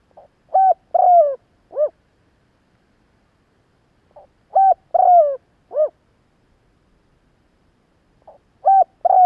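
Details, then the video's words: Calling spotted dove, a recording for luring and exciting doves: three-part cooing phrases repeated about every four seconds, each a quick hoot, a longer falling coo and a short closing note, with no other sounds. "Tiếng chim gáy gọi hay kích bổi nhanh nổi"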